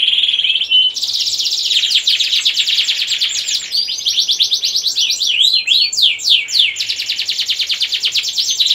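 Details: Loud 'gacor ngerek' canary song used to raise breeding drive in female and young male canaries; fast rolling trills, rapid repeated chips and descending whistled sweeps run continuously without pause.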